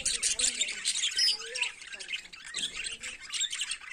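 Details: Budgerigar morning song of chattering, twittering high notes and squeaks, packed tightly together with short dips in loudness, several birds seemingly calling over one another.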